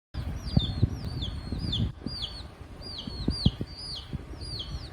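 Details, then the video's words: Pet rose-ringed (ringneck) parakeet with hen chicks, playing and fighting, giving high, arched whistled notes about twice a second over low thumps, rustling and wing flutters; chick voices may be present. "ringneck parrot🦜 greet cute hen chicks🐓||fighting||whistling ||natural parrot and chicks voice"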